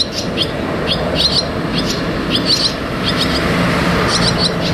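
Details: Barn swallow chicks at the nest, coming and going, utter clipped high double chirps over a steady background of road noise.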